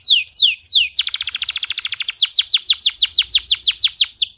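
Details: Loud male canary singing to train young canaries and excite females: a few falling whistles, then a fast rattling trill, shifting into a run of evenly spaced downward-swept notes, clear and dry.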